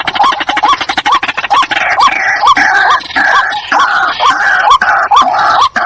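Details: Paired white-breasted waterhens in a duet of repeated, rising, clucking croaks, around two each second, over a rough, crackling background.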